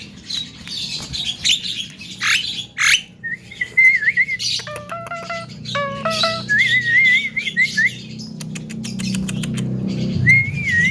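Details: Young Javan myna singing a melodious song rich in fill phrases. Rasping bursts come first, then wavering whistles, steady stacked tones held in steps, and a closing twisting whistle, over low background rumble.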